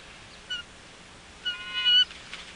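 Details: Female bald eagle at a nest on Catalina Island, California, in February, greeting the male as he returns with nesting fluff: a brief thin peep, then a longer series of high piping whistles, recorded by a nest camera.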